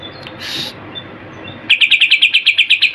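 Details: Greater green leafbird song packed with imitated kapas tembak and cililin phrases; after a soft opening note and a pause comes a fast, even string of sharp chipping notes, about eleven in just over a second.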